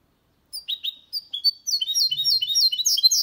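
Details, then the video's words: Goldfinch and canary hybrid in clean, error-free song: a few spaced high chirps build quickly into a dense run of bright, repeated sweeping notes. "Mixto de Jilguero Cantando Limpio"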